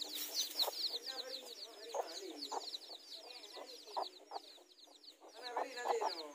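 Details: Mother hens confronting each other over territory in a garden, their newly hatched chicks close by; constant shrill chick cheeping layered over scattered low, abrupt hen clucks and grunts.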